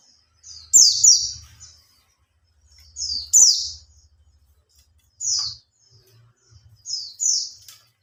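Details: Captive Oriental white-eye, three months in care, gives a lure song to set other birds singing. Short, high, sweet twittering bursts come at irregular intervals over a faint low hum and soft clicking.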